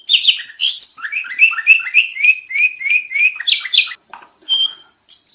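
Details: Very noisy sooty-headed bulbul master song: harsh opening notes, then a rapid series of rising whistled chirps, a few loud buzzy bursts, and scattered softer whistles toward the end.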